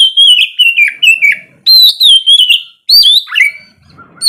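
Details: Morning song of an oriental magpie-robin in ngeplong style, meant to set lazy birds singing: three loud runs of fluty, wavering whistles separated by brief pauses, the last dropping to lower notes.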